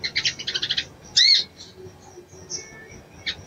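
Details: Calling to stir a male into breeding condition, a female crimson sunbird gives a quick series of high stuttering chirps, then one loud upslurred note, then near silence with faint, brief chips.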